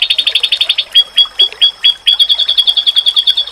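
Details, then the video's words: Rapid high chirps, then a run of spaced, sharp rising notes, then a quick steady trill from an oriental white-eye, in a masteran meant to make other white-eyes reply. "Sekali Lawan denger,Pasti Burung Pleci lain Auto nyaut// 💯%Masteran"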